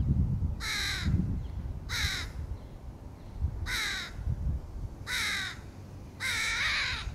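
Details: Five evenly spaced, coarse caws roughly every one and a half seconds from a crow feeding young in 2022, the final call the longest and loudest, with low rumbling noise underneath.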